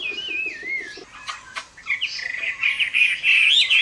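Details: Chinese hwamei giving a fighting song at summer midday: a loud whistled phrase wavering downward, sharp clicks, then a rich run of fluttering, rising and falling whistled notes growing louder toward the end.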